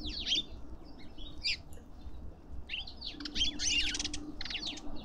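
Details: At a garden feeder in suburban Pretoria, South Africa, lovebirds trade shrill, quickly bending chirps and raspy, crackling squawks in loose clusters, with a faint steady hum underneath.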